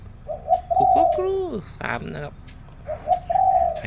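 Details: Zebra dove song in the morning: rolling coo phrases with long descending notes, overlapped midway by a second lower falling call and a brief rustling noise.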